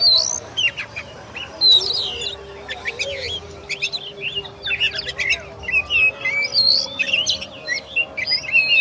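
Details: Oriental magpie-robin (kacer) song: varied whistled phrases and rising-falling notes mixed with short sharp chips, irregularly spaced, over a low steady hum.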